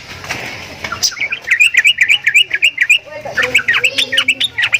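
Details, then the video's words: Javan myna with odd calls: a noisy, blurred opening, then rapid chattering whistled notes about four a second, breaking into a looser, buzzier run over a low hum. "JALAK KEBO BEESUARA ANEH"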